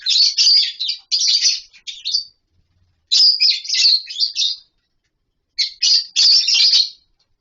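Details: Lovebirds in a colony setup, eating, playing and nesting in wooden boxes and mud bowls; fast, buzzy high chattering in three long bursts of rapid notes separated by pauses.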